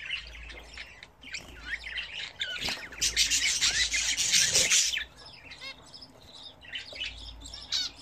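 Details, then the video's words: Home-bred budgerigars at bath time: warbling chirps and squawks, interrupted midway by a loud rushing splash and flutter of about two seconds, then more scattered chatter and a low hum. "Hint Bülbülleri Nasıl Banyo Yapar?"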